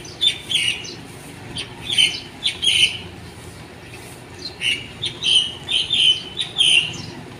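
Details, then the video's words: Birds singing in the morning, heard on waking. High, bright chirps come in clustered bursts of two or three, with quiet gaps between groups and a soft hiss throughout. "Birds song that wake you up in the morning"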